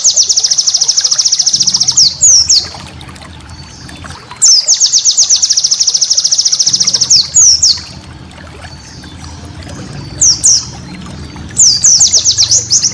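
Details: A white-eye master recording for cage birds repeats rapid, buzzy high trills in bursts of about two seconds, each ending in a few sliding chirps and separated by quiet gaps with a soft low hum.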